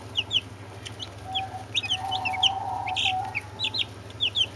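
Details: Young Brahma chicks with two Orpington chicks, a dense scatter of high, thin, upward-sliding peeps from several birds, over a constant low electrical hum and a faint sustained mid tone.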